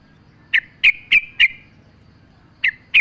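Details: Yellow-vented bulbul singing vigorously as a lure with nature sounds: four bright, slightly trailing chirps at regular short intervals, a silent gap of over a second, then two more sharp chirps.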